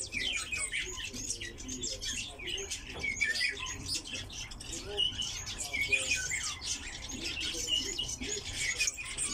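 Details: Kept in a collection, a lesser short-toed lark pours out dense, scratchy twitters and sharp high chirps in an unbroken chattering song, with soft indoor room sound behind.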